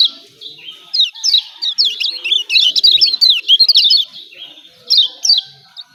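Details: Lombok yellow white-eye 'ciak ciak' calls, played to provoke reluctant birds to call back: a quick flurry of thin, high zigzag chirps building in the middle, then a lone short burst near the end.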